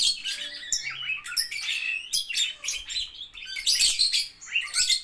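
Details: Lovebirds in a bird playground, tagged as a training bird for the ngetik style: dense, rapid, high-pitched chattering and shrill chirps running almost without pause, rising and falling in loudness throughout.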